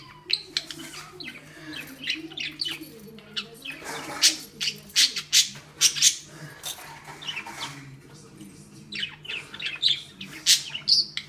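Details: Angry pet budgerigar, a female, tugging at a ball tied firmly to a string; dense run of grating squawks and sharp chirps, clustered in quick bursts, loudest in the middle, over a soft low hum.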